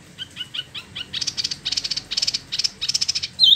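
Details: Spot-throated babbler, a caged import from China and Vietnam kept in Bandung, Indonesia: soft whistled notes repeated quickly, then bursts of harsher buzzy chattering notes in a steady pulsing series.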